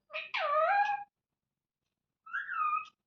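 Indian ringneck parakeet giving two harmonic, voice-like calls, a longer bent squawk then a shorter rising-falling one about a second later; no other sounds.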